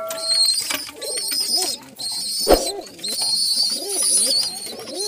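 Pigeons give soft, low rolling coos that overlap and rise and fall in short bursts, with a steady high hiss and a sharp knock partway through.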